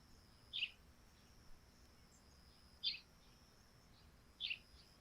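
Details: Sparrows at a dewy thatched-roof house in the morning give three fairly soft, short chirps spaced a couple of seconds apart, with a quiet hiss and a faint steady high tone underneath.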